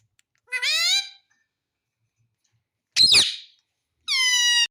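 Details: Indian ringneck parakeet, a talking pet bird, imitating the word "mummy". A gliding, rising syllable is followed by a sharp harsh burst, then a long, steady, nasal, voice-like tone, with silence between the sounds.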